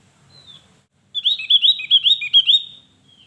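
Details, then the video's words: Javan grey-throated white-eye singing loudly: after a faint high whistle, a rapid, bubbly run of about six wavering, chattering notes, sharp and high-pitched, trailing off into a soft whistle. "Opior Jawa gacor untuk pancingan burung yang Malas Bunyi"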